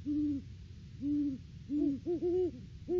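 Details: A Great horned owl pair duets at the nest tree outside breeding season, filmed on a live cam 3 December 2022: clear, low, drawn-out hoots, then quicker paired hoots as the second bird joins in.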